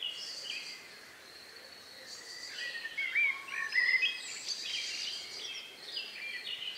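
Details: Birds singing at dusk in the countryside, May 2, 2020, around 9 p.m., recorded outdoors: overlapping high chirps and trills with a few clear whistled slurs in the middle.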